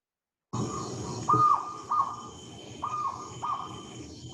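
Jungle owlet giving short, hollow, mid-pitched notes about once every half second to second, with a second owlet answering more faintly in the distance.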